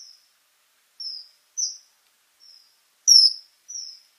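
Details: Common kingfisher at Biržų laukas, Šilalė district, Lithuania, giving six shrill, thin, high-pitched whistled notes at uneven intervals over about four seconds, with silence between them.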